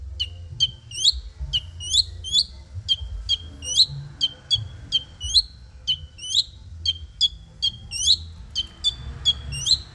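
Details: Madura long-tailed shrike in training: a steady series of sharp, high, downward-sweeping notes, often in pairs, repeated through the whole stretch at a regular pace over faint low hum.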